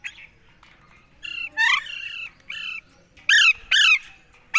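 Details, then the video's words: Talking parrot producing harsh, harmonic, speech-like squawks in short bursts, some wavering and some falling. There are quiet gaps between the phrases, and louder strident bursts come near the end. "बात करने वाले तोते || Bolne Wala Tota"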